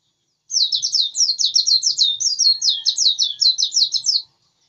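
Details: Persistent white-eye song, a fast unbroken chatter of high twittering notes, each a tight downward-sweeping flourish, running almost four seconds in a steady stream against a quiet background.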